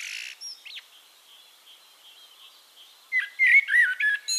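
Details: Eurasian blackbird singing in Castricum, the Netherlands; after a brief harsh burst and faint distant notes, a loud fluty warbled phrase ends with high squeaky twitters.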